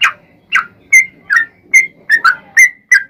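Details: Yellow-vented bulbul in lively song, used as a lure to draw other bulbuls into answering: bubbly, liquid chirped notes, each a short slurred whistle, spaced about every half second over a quiet background.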